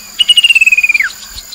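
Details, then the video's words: Chestnut-capped babbler, used as a lure sound, recorded on the bank of the Mekong River in Nakhon Phanom, Thailand, in 2021: a long, even, pulsed trill held steady for about a second, then dropping sharply at the end. "นกกินแมลงกระหม่อมแดง Chestnut capped babbler sound"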